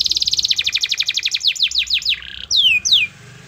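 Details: Canary in strong song, used to stir a lazy canary to sing: about fifteen rapid repeated notes speeding into longer falling slurs, a brief buzz, then two loud descending whistles.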